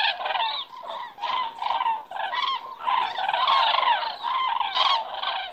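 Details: Cranes flying by and circling in the sky over Estonia on an evening in September, 18:03; a flock's loud trumpeting, rolling calls overlapping continuously in rising and falling bursts.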